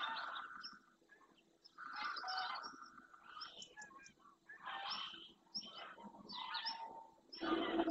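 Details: Greylag goose flock in flight over the Doñana marsh, Spain, heading back to the lagoon early in the morning before settling. Dense overlapping honking rises and falls in waves roughly every second, busy and continuous.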